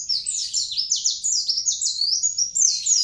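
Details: Vigorous mountain white-eye song from a dagbal kintamani bird, a continuous stream of very high, sharply falling twittered notes, several per second, without pause.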